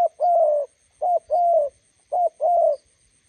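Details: Spotted dove, decoy bird meeting a wild bird by the roadside, giving clear low two-part coos, a brief note then a longer level coo, three times in quick succession.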